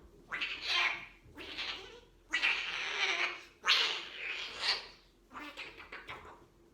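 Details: Young blue-eyed white umbrella cockatoo kept as a pet, recorded in 2020 after adoption, imitating a cat: five harsh, raspy, meow-like screeches, each about a second long, with the second and fourth longest and loudest.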